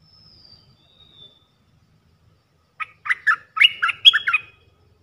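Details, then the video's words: Red-eyed bulbul at a decoy session, a wild bird answering a caged decoy. After near silence, a bubbly burst of short gurgling notes around mid-high pitch runs for under two seconds, with faint thin whistles earlier. "Suara pikat merbah lekir"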